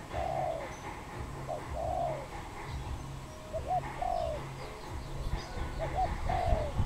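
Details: Wild dove in Cambodia, recorded 23 April 2020, giving short mellow cooing phrases, a quick double note then a longer slurred coo, repeated about every two seconds over low rumbling background and faint chirps of other birds.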